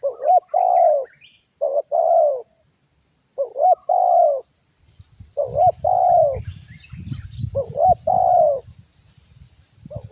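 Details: Tekukur, a spotted dove in strong calling form, cooing to call other birds into singing: short rising notes each followed by a long steady coo, repeating in phrases about every two seconds, with low rumbling noise in the second half.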